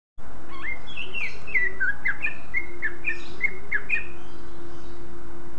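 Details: Greater green leafbird singing to provoke other leafbirds into song: a quick run of clear whistled and slurred notes, some rising and some falling, strung together over about four seconds above a steady low hum.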